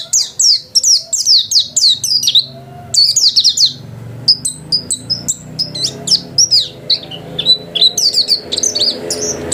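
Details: Energetic song of a white-eye kept at home: dense runs of sharp, high, descending chirps, then scattered twittering notes and quick trills, with a soft low room hum underneath.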